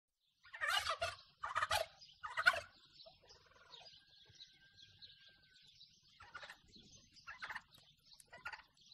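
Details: Turkey gobbling, from a recording of male and female sounds: three loud rattling gobbles about a second apart, then quieter gobbles and soft clucks, with a faint whistle in between.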